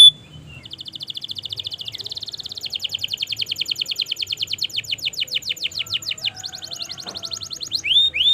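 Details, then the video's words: Long 'gacor' canary song used as a tutor to get non-singing canaries to answer: a brief whistle, then an extended rapid trill of repeated high notes that changes pace and ends in falling sweeps. "Masteran suara Burung Kenari Gacor Panjang Auto Nyaut Kenari Macet dan Paud"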